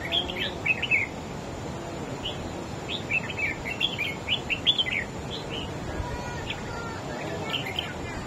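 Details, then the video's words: Song duel from a wild-caught adult red-whiskered bulbul out-singing an opponent. Lively bursts of sharp, bubbling whistles come in clusters of quick notes with short pauses between them, set against a continuous low rumble and hiss. "Chim Chào Mào Của A Tủa Hót Đấu Ché Đè Đối Phương Quá Khét."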